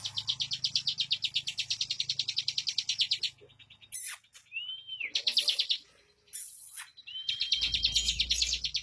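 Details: Bar-winged prinia (ciblek), song in the fast, tight 'bocor ngunci' style: a rapid, even run of high buzzy repeated notes for about three seconds, then scattered bursts and two short rising-falling whistled slurs, over a low hum.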